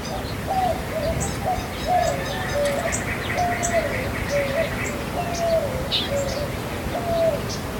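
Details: White-winged Dove in a vacation-rental garden in Baja California, Mexico, gives a run of low, hooting coos, very similar to a Collared Dove's call but subtly different.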